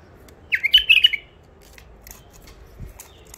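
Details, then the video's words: Wild bulbul from Mandali, caught long ago and newly isolated in a cage, delivers one bright, rapid phrase of jumping liquid notes lasting under a second, then falls silent. "بلابل وحشيات خامات كاع منفذ مندلي لسانات روعه"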